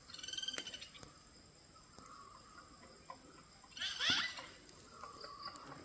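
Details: Hill myna (jungle myna) in forest at Thattekkad Bird Sanctuary, Kerala's Western Ghats, giving a varied string of calls: a harsh, nasal opening note, short clear whistles and a loud crackling burst, over a soft forest hiss; noted for making many varied sounds.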